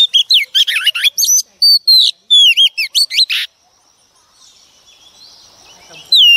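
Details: Song of a female Oriental magpie-robin, wild-caught, used to rouse males into singing. A rapid string of sweet whistled notes and sharp chips rises and falls for about three seconds, then near silence, then one last whistle.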